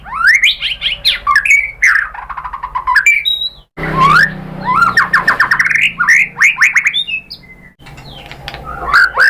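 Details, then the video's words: White-rumped shama in full, varied song meant to make other shamas answer back: loud rising whistles and rapid fluttering phrases, a short noisy rumble partway through, then more rising sweeps and chirps. "KICAUAN MURAI BATU merangsang BUNYI jadi NYAUT GACOR"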